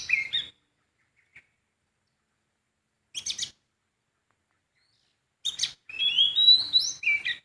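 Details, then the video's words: Sooty-headed bulbul singing in the wild, short bursts of bright chirps then a rich, rising and falling whistled phrase near the end, separated by silences. "Kicauan burung poci di alam bebas"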